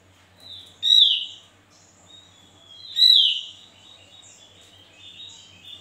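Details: Javan white-eye repeating a loud, piercing downslurred whistle about every two seconds, with thin, high twittering continuing between the phrases.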